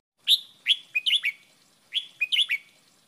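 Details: Caged-bird training song of the red-whiskered bulbul in the Thai wild style called 'double-double', a song phrase recorded for teaching captive birds: short bright whistled notes in quick bouncing groups, two similar phrases repeated, clean background.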